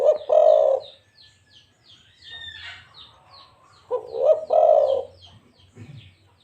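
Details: Zebra dove of a local type giving rapid, stuttering coo phrases of soft, throaty notes, two bursts roughly four seconds apart, while another bird keeps up a quick series of thin, high chirps behind.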